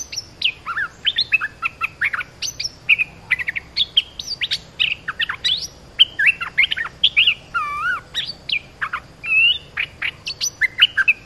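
Olive-winged Bulbul giving a busy stream of bright, bubbly chirps and quick rising and falling whistles, several notes every second, with no other sounds.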